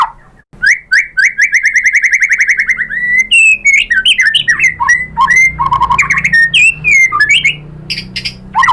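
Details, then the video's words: White-rumped shama singing to draw answers from other shamas: a long fast trill of repeated notes, then quick whistled slides, rapid chattering bursts and low fluty notes in a rich, busy medley. "SUARA MURAI BATU bikin BUNYI jadi NYAUT GACOR BONGKAR MATERI ISIAN ¦ SHAMA BIRD"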